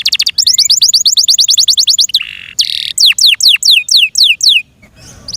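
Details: Caged Yorkshire canary song with a long fast trill of rising-falling notes, a brief buzzy burst, then a row of steeply descending whistles, fading to quiet at the end.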